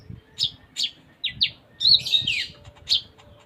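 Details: Sunda minivet singing lively and varied: a few separate high chips, two short falling whistles, then a quick tangled twitter before a final chip.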